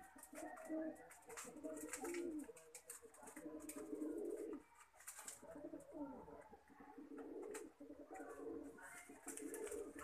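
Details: Indoor chorus of Lakha pigeons: deep, bubbling coos repeated in long runs with a short lull midway, accompanied by scratching and wing or foot noises.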